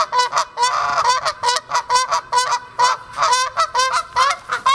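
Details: Several pairs of Canada geese at a pond, honking while flying off; loud, harsh nasal honks pour out in a dense chorus, some stretched and overlapping, others clipped, pulsing several times a second.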